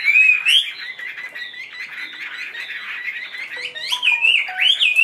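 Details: Caged Chinese hwamei, a tame bird offered for sale, singing indoors: loud rich whistled phrases sliding up and down, with slurred rising notes and a few lower pure whistles near the end.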